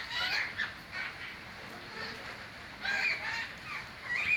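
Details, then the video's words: Chirping birds giving rough, chattering call bursts in uneven pulses, several voices overlapping, over a constant background hiss. "birds chirping sound"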